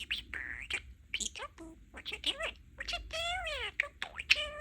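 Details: A pet male budgerigar, a talking parakeet, chatters in rapid, high-pitched warbles, mixing buzzy squawks with harmonic, speech-like phrases.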